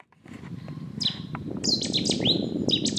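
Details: Cetti's warbler calling at Tophill Low Nature Reserve, Yorkshire, in April 2016: loud, sharp, explosive notes in quick clipped bursts, high and ringing, over a steady low rumble of wind.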